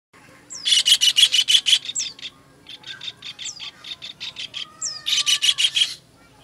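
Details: Kingfisher calls used as a master recording for training songbirds: rapid bursts of harsh, rattling notes, about six per second, broken by short pauses, with a few thin whistles that drop sharply in pitch.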